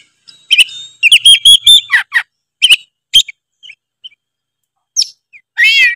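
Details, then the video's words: Oriental magpie-robin of Tretes type in provoking song: bursts of sharp chirps and whistled notes separated by gaps, ending in a rapid trilled phrase. "pancingan kacer tretes gacor full isian bikin lawan auto emosi denger suara kacer tretes satu ini"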